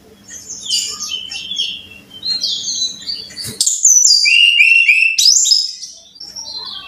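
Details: Faint mixed chirps over a low hum, then a loud sharp note and a bright, rapid series of repeated whistles dropping and rising again. A Brown-chested jungle flycatcher song used to coax caged birds into singing.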